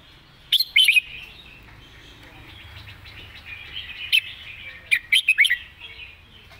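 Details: Red-whiskered bulbul giving the clearly phrased master song: three bursts of rapid, bubbly whistled notes, the last a run of five, over steady soft twittering and low hum.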